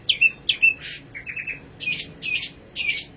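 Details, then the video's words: Singing nightingale: sharp whistled notes dropping into short buzzy rattles, the phrases separated by brief gaps. "Singing nightingale. amazing bird song"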